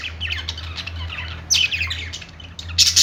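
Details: Several budgies perched in a pet store chatter in quick, high squawky chirps that come in loose clusters, louder bursts near the middle and end, over a constant low electrical hum.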